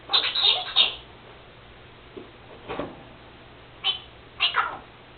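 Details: Pet Senegal parrot, a female that has just begun mimicking her owner's sneezing, gives a burst of harsh, squeaky, voice-like chatter, then after a pause several short scratchy bursts, indoors with a steady low hum behind.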